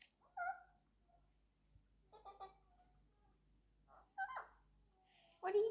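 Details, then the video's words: Pet male Alexandrine parakeet chattering to his toy, giving clipped, nasal, voice-like syllables in scattered bursts, a brief stuttering run midway and a loud harsh squawk-like phrase at the very end over low background hum. "Alexandrine parrot named Alex talking to his toy!"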